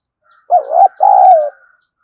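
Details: Decoy spotted dove giving one loud, husky coo phrase to provoke a fight. The phrase has a short wavering first note and a longer, smooth, slightly falling second note, over a faint steady high tone.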